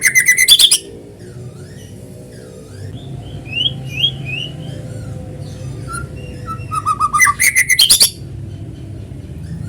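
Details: White-rumped shama lure song, natural voice for coaxing other shamas to sing. A short harsh chatter opens, then quieter scattered whistled slurs over steady background noise, and a second fast chattering run near the end.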